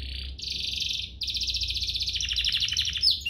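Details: Canary singing a rich 'cengkok mewah' master song meant to tutor young canaries and spur others to sing: a steady high buzzy trill, a brief break, then faster pulsed trills shifting lower, over a faint low hum.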